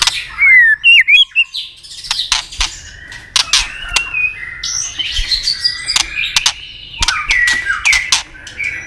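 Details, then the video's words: Fighting song from a white-rumped shama with double notes and tail clicks, aimed at stirring a rival: a loud, clear rising-and-falling whistle opens, then busy warbling phrases punctuated by many sharp clicks. "chòe lửa tạch đuôi âm kép kích lửa hiệu quả.dìu lửa chuyền mùa 2 hót đấu lên lửa cực nhanh"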